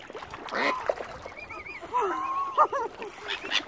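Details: Hungry mother swan on Lough Neagh, Ireland, angry as algae has killed its normal food; several drawn-out nasal calls, some bending downward, mixed with higher wavering peeps and a few splashy noises.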